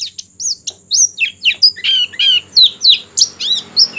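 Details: Singing Oriental white-eye, played to encourage other white-eyes to sing: quick sequence of high, varied, slurred chirps and squeaky twitters, some rising and falling, delivered in an irregular rapid stream with light room hiss.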